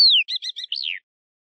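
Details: European goldfinch singing the song style known as the police whistle: a clear whistle sliding downward, then three quick buzzy twittering notes and a rising-then-falling whistled ending, with no background noise.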